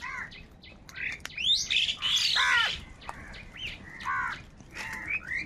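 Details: Crows squabble over food with rapid, scratchy, overlapping squawks. A loud cluster of harsh calls comes in the middle, and shorter arched cries follow at intervals. Chirping birds sound in the background.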